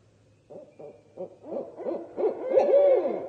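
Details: Barred owl (Strix varia) territorial calling at night, deep hoots quickening into a wild rising and falling caterwaul ending in a drawn-out wavering note; pair revving up in response to another pair or individual on an established territory.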